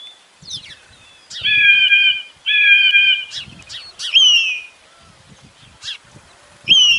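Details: Calls of falcon or eagle to scare away pigeons: two harsh level screams followed by shorter squealing, down-slurred cries and scattered clicks, with faint low rustling beneath.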